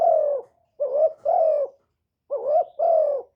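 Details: Spotted dove used as a lure bird, cooing in the 1 hậu ròng style to provoke wild birds: paired soft notes, a wavering lift followed by a sustained falling coo, heard in quick succession with clean quiet gaps.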